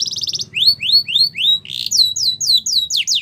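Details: Yorkshire canary singing for training young canaries, a brief trill then slow rising whistled sweeps followed by loud falling whistles.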